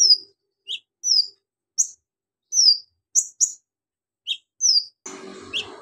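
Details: Javan magpie-robin delivering an ngobra song packed with imitations of golden grasshopper, lovebird, cricket and cililin: clean, separated high whistles and slurred chirps in near silence, ending with a burst of rustling noise.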